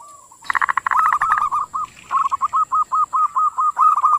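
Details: Ngerot-style Zebra dove song opening with a fast, jumbled flurry of coos, then settling into an even, rhythmic string of short, rolling coo notes, under a thin steady whine.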